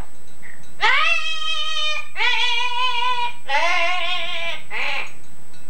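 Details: Yellow-naped Amazon parrot, male, kept as a household pet, imitating its owner's singing from an old tape: three long, voice-like sung notes with rich harmonics, held steadily, followed by a short higher syllable.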